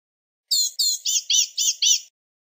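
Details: Series of six high, slurred, buzzy notes from a blue-gray gnatcatcher, each dropping slightly in pitch, delivered rapidly in a single phrase against silence.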